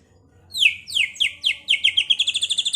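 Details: White-rumped shama song from a bird kept in Pekalongan, used as bait to provoke other shamas to fight and sing: bright whistled notes sliding steeply downward, repeated about every third of a second, then speeding into a rapid trill of short high notes.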